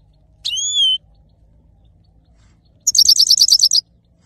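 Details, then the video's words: Male saffron finch in song, a single clean whistled note followed two seconds later by a fast, high, buzzy trill of about a dozen pulses. "male saira gold finch singing"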